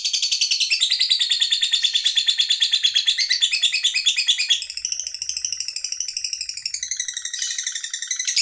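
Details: Long ngekek chattering from a fighter lovebird, used to stir up other lovebirds. Fast, continuous, high scratchy chatter runs for over eight seconds, shifting pitch and rhythm about midway before rushing on.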